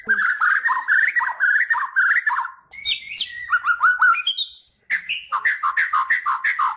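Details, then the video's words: White-rumped shama, Kalimantan race, singing as a master song for songbird training: rolling fluty warbles, then thin rising high notes, then repeated dipping whistles in a lively varied sequence. "SUARA KICAUAN BURUNG MURAI BATU KALIMANTAN"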